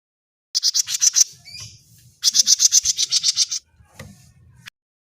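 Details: Grey-cheeked bulbul sound used as a lure for other birds: two bursts of rapid, high, sharp chirps, about four per second, with a brief buzzy note between them and a low rumble in the background.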